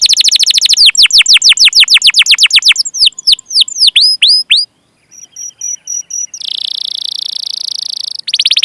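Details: Canary lure song for young, untrained or non-singing birds. A rapid trill leads into a string of falling whistles and a few up-and-down notes, then a pause, thin high pure tones, a long buzzy roll, and a final trill.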